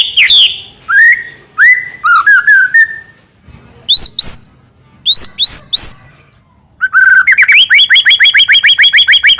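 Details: Continuously singing captive white-rumped shama, Medan type, whose varied filler phrases serve to trigger singing in other shamas: slurred whistles, paired high rising notes, then a fast rhythmic string of repeated upswept chirps.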